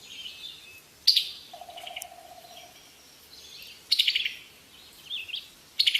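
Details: High chirping bird notes in short separated bursts, with a steady lower whistled tone held for about a second in between.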